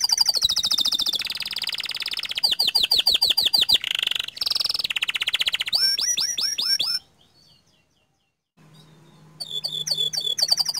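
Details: Singing panda canary with rolling trills and long shots: loud rapid buzzy rolls and looping whistled sweeps for seven seconds, a quiet gap with a low hum, then the rolling song resumes.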